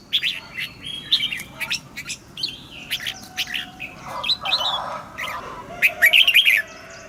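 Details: Red-whiskered bulbul morning song for training caged birds: scattered short chirps and whistled notes, ending in a rapid bright warbled phrase, with other birds calling in the background.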